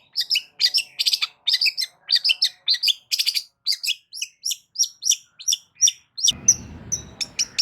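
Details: Long-tailed shrike song played loudly to make other shrikes respond: rapid, varied chirps and whistled notes in dense bursts, thinning out as a low hum starts near the end.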